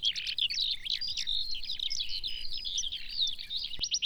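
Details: Eurasian Skylark of European farmland pouring out its long nuptial-flight song: a crowded, continuous jumble of high trills and quick whistled slurs, ending in a short rapid rattle, with a single sharp click and low rumbling background.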